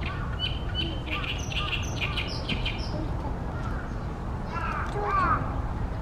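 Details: Harsh, scratchy phrases of an Oriental reed warbler calling loudly in Ashiya, Japan, 28 May 2020, hidden in a tall tree over a reedy pond where it nests each year; rasping notes run through the first three seconds, another burst near the end, over constant low background noise.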